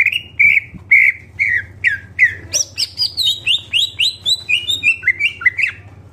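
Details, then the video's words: Greater green leafbird singing a series of harsh downslurred notes, then a quicker string of high, falling whistled chirps, each phrase about a third of a second apart, against a low steady hum. "CUCAK IJO GACOR FULL ISIAN"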